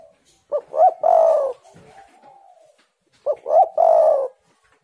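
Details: Spotted dove song played as a lure to get silent doves singing: two full phrases about 2.7 seconds apart, each two short rising notes followed by a long, throaty, vibrating coo, in a quiet setting.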